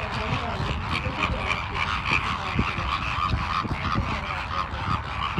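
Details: Pink flamingos at Ras Al Khor Wildlife Sanctuary in Dubai, a place of mangroves, mudflats and lagoons, calling: short goose-like honking notes repeated several times a second over a constant murmur of flock noise and distant traffic.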